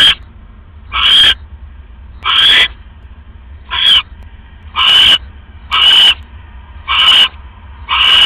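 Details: Nighttime owl nest, 3:40 AM on October 5, 2015, during a rat delivery; eight rough, breathy screeches repeated about once a second, each short and hissing, over quiet background rumble.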